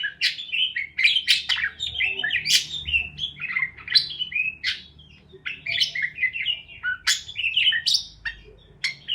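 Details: Busy parakeet chirping, played to help lonely parakeets chirp: overlapping sharp chirps and rolling warbled phrases pour out steadily, with a short lull before the chatter resumes.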